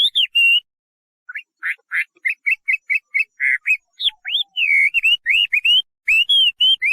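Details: Chinese hwamei delivering varied song: clear whistled notes, then a fast series of short repeated buzzy notes, followed by looping upslurred and downslurred whistles in rapid sequence.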